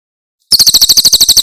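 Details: Tembakan Cililin song of a Javan prinia, meant for tutoring caged birds: after a brief silence, a quick volley of shrill, high, clipped notes begins and continues steadily.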